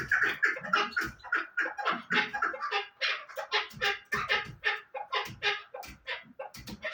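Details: Chukar partridge delivering fast, rasping chuck notes, roughly three per second, rough and scratchy in texture and somewhat uneven in rhythm.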